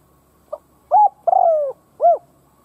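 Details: Cooing of a spotted dove kept as a decoy to provoke other doves. One full phrase: a faint short note, a level coo, a long sliding-down coo and an arched final note, over a soft continuous hum.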